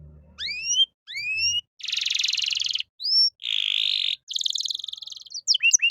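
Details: Canary song, 'cengkok mewah' phrasing, for tutoring young songbirds; rising whistled slurs alternate with long dense buzzy rolls and harsh churring trills, with a faint low rumble at the start.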